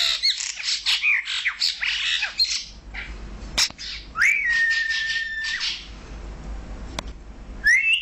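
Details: Male and female Brahminy starling pair in Kuwait: a jumble of quick squeaky, chattering notes, then a long level whistle held over a second, and a final rising whistle.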